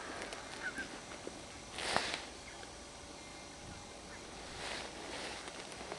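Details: A cackling goose wintering with a barnacle goose flock at Lissadell, Co. Sligo, Ireland, in autumn 2009, possibly the same bird as in winter 2007/08, gives one short, high, yelping honk, then a couple of fainter calls over steady wind-like noise.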